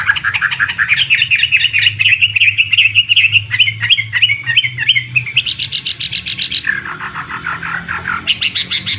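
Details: Contest-bred imported Chinese hwamei singing a lively sequence of repeated whistled notes, rattling bursts and lower slurred phrases, with sharp high rattles recurring toward the close.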